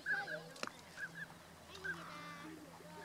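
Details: Tundra swans filmed on 1 January 2014 in Japan, adults and a juvenile: short nasal honking notes in pairs near the start and middle, a sharp knock, then a rougher call, over a steady low hum.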